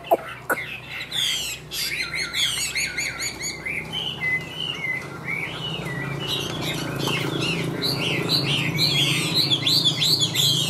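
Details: Caged Chinese hwamei of the Tam Hoàng form, kept for sale, singing loudly with a dense, varied stream of whistled phrases, slurred notes and fast trills that leap up and down without pause, over a low steady background hum.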